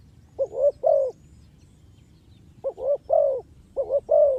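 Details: Spotted dove calling as a trapping lure; two phrases, each a pair of quick rising coos followed by a longer falling coo, separated by a pause of over a second.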